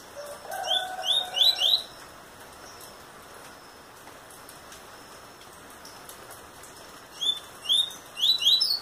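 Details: Young double-collared seedeater, eight months old, singing: two bursts of four or five quick, high, rising whistled notes, one at the start and one at the end, separated by a quiet gap. A lower steady tone sounds under the first burst.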